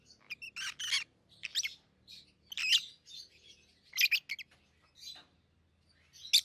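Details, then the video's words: A home-raised pair of peach-faced lovebirds aged 7-8 months, one red-headed green opaline, one red-faced dark green, give spaced harsh, squeaky chirps with some sharp accents over a faint low background hum. "Peach-Faced Lovebird's Sounds"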